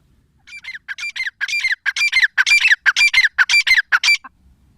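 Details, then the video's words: A female grey francolin gives a steady run of harsh, ringing squawks, each with a dropping whistled note, repeated roughly twice a second over about four seconds, no other sounds. "Teetar awaz l teetar voice l female teetar sound gray francolin"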